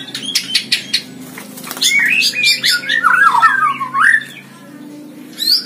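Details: Caged white-rumped shama singing in a hanging cage, described as gacor: a few sharp high whistled notes, then a long loud rippling warble of sliding whistles that rises and falls, ending with another brief high note burst.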